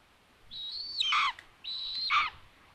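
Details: Common buzzard (Buteo buteo) at a nest in Tiszalök, Hungary, 21 June 2022, where the mother delivering food finds the nest empty; two drawn-out mewing calls, each a high held note dropping into a harsh falling slur, about a second apart.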